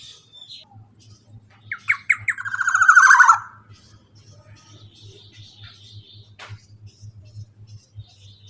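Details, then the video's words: Long 'ropel' trill from a male black-naped oriole, used to prompt quiet birds to sing: brief harsh notes run into a quick grating rattle lasting about two seconds. Quieter clicks, ticks and a low hum follow. "KEPODANG ROPEEELL PANJANG"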